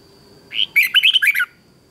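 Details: Red-whiskered bulbul giving a competition song phrase used for training birds: one rich rising whistle followed by a quick string of bright warbled notes, lasting about a second, then quiet.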